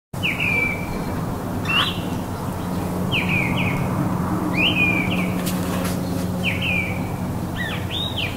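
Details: Mistle thrush singing on 27 January at Champagneux, an early sign of spring: short, fluty whistled phrases about every one to two seconds, each a quick slurred run around mid-high pitch, over a low steady hum.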